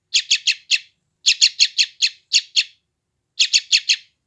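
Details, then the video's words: A sooty-headed bulbul chick in West Java, Indonesia, phone-recorded, gives three bursts of high, rasping chirps, the middle run longest at about seven notes, with a clear gap before the last. "SUARA BURUNG ANAK TRUCUKAN GACOR"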